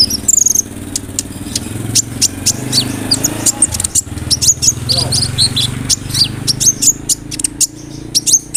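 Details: Kolibri ninja sunbird in a 'roll nembak' song filled with imitated cricket, cililin and sparrow phrases. Dense, very high, ticking chirps run continuously over a steady low hum.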